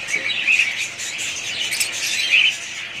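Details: Several budgerigars kept as a pet family chatter nonstop, a thick wash of high chirps and buzzy warbling, with two brighter squeaky calls rising above the mix.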